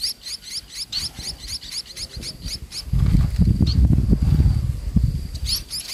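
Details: Munias toward evening while the mother feeds her young: a rapid series of high, thin upswept chirps for nearly three seconds, then low rumbling handling noise, with a final chirp near the end.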